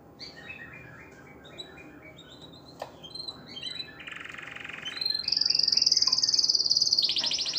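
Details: Canary song meant to encourage females to breed: scattered chirps and a dry buzzy rattle lead into a loud, high, sustained trill near the end, over a constant hiss.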